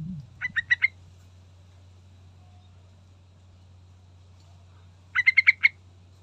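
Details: Sooty-headed bulbul song used as a lure to provoke a response from other birds: two short bursts of four quick, clipped notes each, separated by about four seconds of quiet, over a steady low hum.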